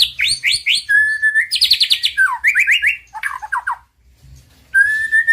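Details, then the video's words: White-rumped shama song used as a master recording to rouse silent birds into singing: rapid varied phrases of rising whistled notes, buzzy trills and sharp chirps, then a pause and a long level whistle. "Suara Masteran Murai Batu"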